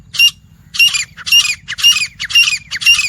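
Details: Wild grey francolin (teetar) calling: harsh, squawky, ringing bursts repeated about twice a second in a steady run, each note high and broad, with a faint low rumble beneath.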